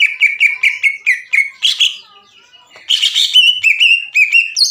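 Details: Greater green leafbird giving 'ngekek' chatter for provoking other leafbirds to sing: a string of evenly spaced short notes, a brief harsh burst, a pause, then a rapid run ending in twisting high whistles.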